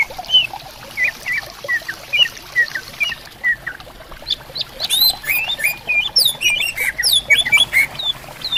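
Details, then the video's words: In bamboo forest by a clear river, greater green leafbirds trade songs: slower drawn whistles at first, then a busier chatter of high, rapidly flicked notes over continuous water trickle. "Suara Burung Cucak Ijo Gacor Di Hutan Bambu Bersautan"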